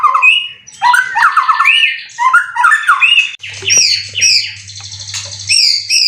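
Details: White-rumped shama, a caged competition bird with many prizes, from Kebun Jeruk Baru, Indonesia; a loud, dense run of chattering, twisting whistles, then high rasping and sweeping notes as a low hum sets in.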